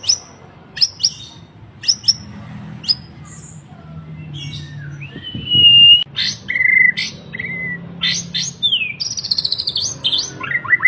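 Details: Borneo white-rumped shama singing actively: sharp high chips and clear whistled notes, then a lively run of varied rising and falling whistles with squeaky phrases, over a soft low rumble.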